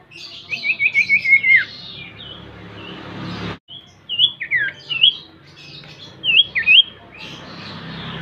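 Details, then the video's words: Lure song of the Common Iora, locally sirtu or cipoh: a quick trill sliding downward, followed by scattered sharp upslurred and downslurred whistles with short pauses between them. "Pancingan SIRTU atau CIPOH PALING AMPUH dan sukses bikin GACOR"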